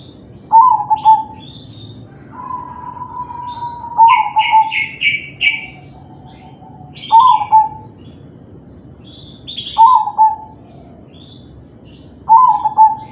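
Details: Crossbred zebra dove of the kalung tempuk kind singing to encourage other doves to join in: repeated low cooing phrases every few seconds, one preceded by a fast series of four buzzy higher notes, plus a long level coo. Scattered faint high chirps.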